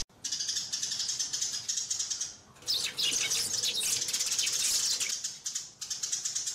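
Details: Sparrows calling and fighting, heard as dense, high, excited chirping that thickens midway into an overlapping squabble, then eases back to steady chirps.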